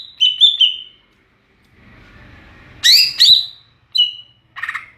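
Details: Ngeplong-style song of a greater green leafbird: a warbled whistled phrase, then two loud sharp downslurred notes, a short whistle and a final buzzy note, with quiet gaps between.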